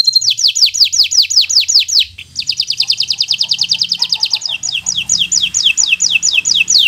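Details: Bottle-green local canary song meant to train birds learning to sing: a steady run of falling whistles about six per second, a short pause, then a fast trill turning into descending sweeps.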